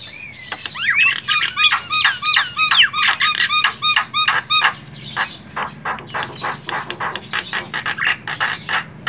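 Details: Javan myna in the wild with a brief rising whistle, then fast rasping, clicking chatter repeated about three times a second over a steady background hiss.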